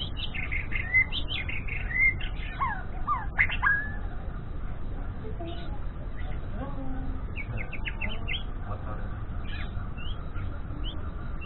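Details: Young white-rumped shama learning to sing in the morning: short, scratchy whistled phrases, broken and irregular, over a steady low hum.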